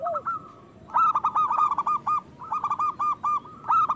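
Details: Local zebra dove in loud, frequent song, used to stir lazy or moulting doves into singing and breeding: fast runs of short, clipped cooing notes in bursts, with a lower rounded coo at the start.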